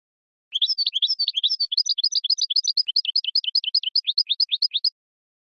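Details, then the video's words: Strong European goldfinch song of the 'raad' style, used to arouse the female for mating; a continuous four-second stream of fast, jangling twitters and tinkling notes with no other sounds. "اقوى تغريد حسون يحفز الذكر يهيج الأنثى للتزاوج"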